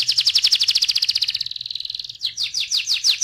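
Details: Loud canary song: a fast rolling trill of repeated syllables that smooths into a steady tone, then a series of sharp descending swept notes.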